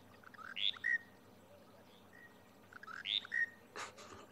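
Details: Wild Monotonous Lark at Djuma private game reserve, South Africa, recorded 23 January 2020, where its calling is the easiest way to identify it. Two quick whistled phrases, each rising then dropping, sound about two and a half seconds apart, with a brief rustle at the end.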